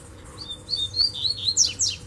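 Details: Distant Double-collared seedeater singing in bamboo: a run of high, thin whistled notes rising into quick warbling, sweeping downward slurs at the end, over a faint low hum.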